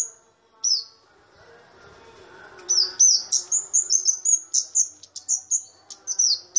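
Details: A loud, small flowerpecker (kamade, or cabe bird) gives a couple of isolated high slurred tsip notes, then a fast, ringing run of piercing chips and downswept whistles, with a soft murmur underneath.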